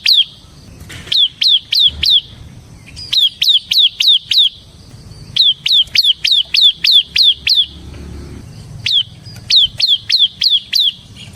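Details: Bar-winged prinia (ciblek semi) singing repeatedly; short bursts of four to eight sharp, high, falling chips, each burst separated by a pause of about a second, pattern repeated five times.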